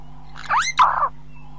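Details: A Burchell's glossy-starling (Lamprotornis australis), close up, gives two harsh, nasal notes in quick succession, the first rising and the second sliding down, over a faint steady hum.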